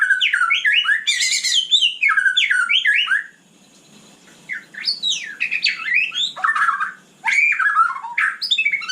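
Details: Energetic night song of a murai batu (white-rumped shama): rapid zigzag whistled phrases and harsh rattling notes in a long run, a quiet gap of about a second, then more sweeping whistles.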